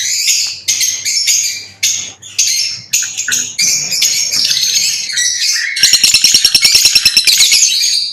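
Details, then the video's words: Chirping lovebirds: a run of shrill squeaky squawks in short bursts, then a fast rattling stream of sharp, high-pitched ticking chirps near the end. "লাভবার্ড পাখির ডাক - LoveBirds Chirping Sounds - Lovebird Sounds Singing"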